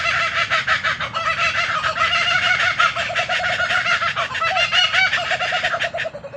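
Laughing kookaburras give a loud, rollicking chorus of rapid, cackling hoots and chuckles that carries on without pause for the whole stretch.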